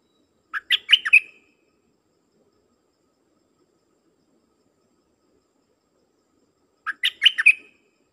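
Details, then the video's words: Song of a dok taeng bird used as a decoy to attract wild birds. Two bright, chirpy warbled phrases of several rapid notes each, about six seconds apart, with near silence between them. "เสียงนกดอกแตงEp.132นกต่อจ้าวขันเงิน เปิดดอกเรียกนกป่า เพลงเพราะน่าฟัง"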